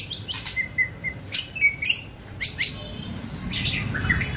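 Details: Fierce, lively White-rumped shama crackling song meant to provoke and speed up singing: sharp clicks and broadband chips mixed with short whistled notes near the upper range, a few level whistles, over low background rumble.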